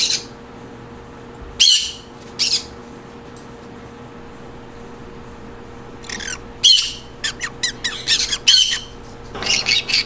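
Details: Green conure sounds meant to create a happy mood: sparse harsh squawks early on, then a lively burst of short, scratchy chattering notes and loud screeches in quick succession near the end, over a faint steady hum.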